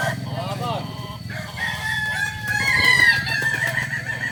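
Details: Balenggek crowing roosters at a training session in Ampang Kualo, Solok; overlapping crows with arched harmonic notes early, then a loud drawn-out crow rising in the second half, low hum underneath.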